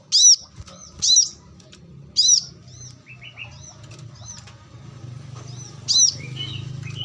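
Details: Brown-throated sunbird calling in the wild: bright, piercing chirps in an uneven series, with thin descending twitters between and a steady low rumble of background noise.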